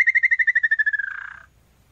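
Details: A small-billed tinamou (Crypturellus parvirostris), Brazil's smallest tinamou at about 19 cm, sings a fast series of about sixteen clear whistled notes, speeding up and sliding lower before ending in a brief blurred trill.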